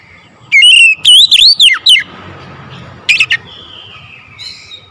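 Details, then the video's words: Oriental magpie-robin in the morning giving one bright phrase of looping, rising and dropping whistles, then a short sharp double note and a faint trailing whistle. "OCEHAN KACER DI PAGI HARI"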